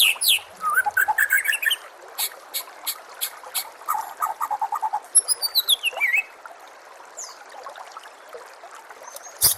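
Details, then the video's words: Training recording of oriental magpie-robin song over a water background: rapid scratchy chatter and repeated sharp notes, a fast descending trill of high notes, then quieter stretches with occasional clicks. "SEKETIKA PASTI NYAUT dan GACOR bila murai batu anda dengar suara MASTERAN burung seperti ini"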